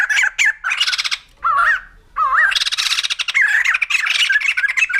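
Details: White-crested laughingthrush in a loud, harsh cackling chorus of rapid chattering bursts with rising and falling squawky notes, a short pause near the middle, then continuous raucous laughing to the end.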